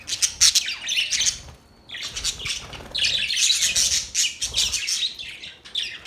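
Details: Budgerigars chirping: dense, scratchy high warbles and squawks in bursts, a brief pause near two seconds, then continuous chatter resumes.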